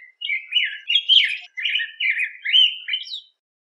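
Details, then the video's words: Yellow grosbeak song, a run of rich warbled phrases of rising and falling whistled notes, delivered in quick bursts with short pauses over about three seconds. "Picogrueso Amarillo Canto! Sonido! Cantando! Reclamo! - Yellow Grosbeak Song-Pheucticus Chrysopeplus"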